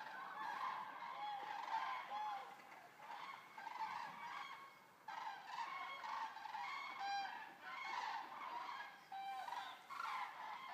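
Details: About 200 Eurasian common cranes arrive and rest at Racconigi's stork centre in Italy. A continuous chorus of many trumpeting, honking calls rises and falls in loudness, with only a brief lull midway.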